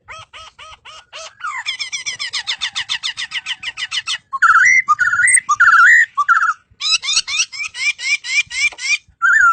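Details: Melodious laughingthrush song: quick repeated upslurred notes, a long run of harsh rattling notes, then loud looping whistles and another fast burst of sharp notes.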